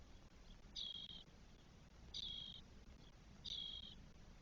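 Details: Four spotless starling nestlings, day 12, in the nest in Spain on 1 June 2022, giving harsh hissing begging bursts about every 1.3 seconds over a quiet noisy background.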